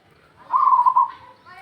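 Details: Local zebra dove calling, recorded for use as a lure: one short rolling coo of rapid, even pulses at a steady mid pitch, lasting about half a second, followed by a fainter trailing sound.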